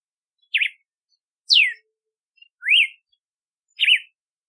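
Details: Red-cowled cardinal singing alone: four clear whistled phrases about a second apart, a wavering W-shaped note, a long falling slur, then an up-and-down note and another wavering W, on a silent background.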